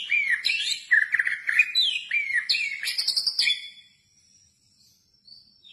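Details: White-rumped shama (murai batu), a recording offered to prompt silent shamas into song and to tutor them; loud, fast, richly varied song of slurred whistles, sharp notes and rapid chattering trills for about three and a half seconds, then near silence with faint thin high notes.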